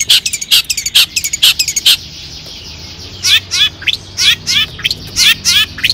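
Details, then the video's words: Long-tailed shrike in lively 'toet toet' song, used as a lure to rouse other shrikes to sing: sharp high chips repeated about twice a second, then after a pause a run of quick descending buzzy slurred notes. "cendet gacor AMPUH TOET TOET PANCINGAN CENDET AGAR BUNYI"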